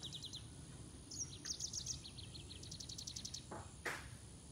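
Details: Green singing finch song, known locally as Canario de Mozambique: bursts of quick high chirped notes and short trills in several phrases, broken by a brief broadband knock near the end, over low background noise.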